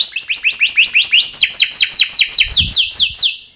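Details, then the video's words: Timbrado canary singing as a training song: a fast run of high, metallic, downslurred notes, roughly eight per second, then a slightly slower rolling phrase, with no other sounds. "Timbrado canary singing beautiful melody"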